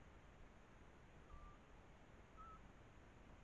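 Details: Female Eurasian scops owl answering a male a few metres off while perched on a nest-watching APEMAN H70 camera trap; two faint, pure whistled hoots a second apart, the second slightly higher, against constant background noise.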